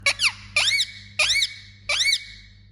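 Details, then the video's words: Pet Indian ringneck parakeet calling indoors: four loud, arched squawks rising then falling in pitch, spaced about half a second apart, over a steady low hum. "Funny Parrot Talking And Making Sound"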